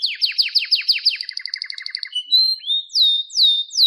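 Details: Canary song meant to get a canary singing: quick falling notes repeated about five times a second, a lower rapid chip series, then slower loud upslurred whistles.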